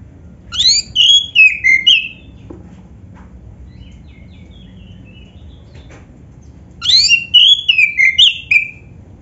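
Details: Oriental magpie-robin of the black-breasted form, song meant to draw other magpie-robins into singing: two bursts of rapid high whistles and twittering notes about six seconds apart, faint soft notes between, low steady hum underneath.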